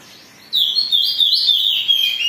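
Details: Excited, agitated Oriental magpie-robin song meant to provoke singing: silence, then a sudden loud run of rich, sweet whistled notes, gliding and wavering, delivered without a break to the end.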